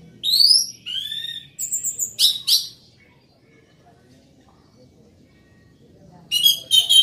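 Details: Orange-headed thrush singing loudly and continuously, in bursts of high whistled and sweeping notes, some falling, some rising, then nearly three seconds of quiet before a dense, buzzy, chattering phrase resumes.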